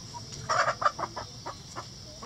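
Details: Backyard mixed flock of egg-laying chicken breeds scratching for seeds and bugs in the coop, clucking to each other; a burst of several short clucks near the start, then scattered softer single clucks over a steady background hum.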